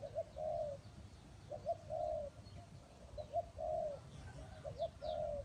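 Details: A Spotted dove decoy at a trap gives distant, muffled coos, a pair of short notes before a longer coo, repeated several times against steady background hiss and faint high bird chirps.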